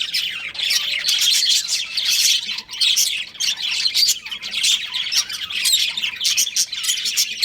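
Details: Budgerigar breeding pair kept at home, harsh squawky chirps mixed into a steady fast warble, loud and nearly unbroken throughout.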